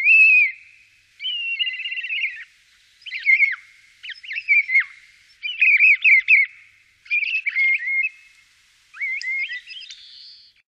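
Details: Common starling singing at Wittlich in 2017, a varied string of warbled and twisting whistled phrases, each about a second long, separated by short pauses, some notes sliding sharply up and down, in a quiet setting.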